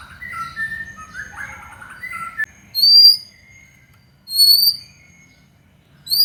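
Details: White-rumped shama song meant to provoke other shamas: low warbling phrases, then high, clear whistled notes repeated every second or so.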